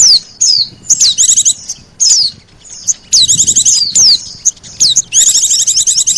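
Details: Combined white-eye and sogon lure sounds for attracting birds: short high descending whistles alternate with quick chattering trill bursts, ending in a long dense twittering run.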